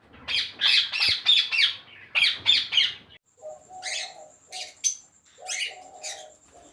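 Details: Captive ringneck parakeets at a 400-pair breeding farm give loud grating screeches in a rapid series. Softer, lower cooing notes and scattered sharp chips from other birds follow.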